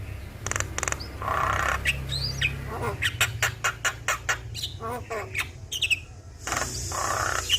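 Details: Javan myna in lively, chattering song, played as a lure to prompt a stressed bird: harsh squawks and buzzy bursts, then rapid clicking notes and short whistles, over a steady low hum.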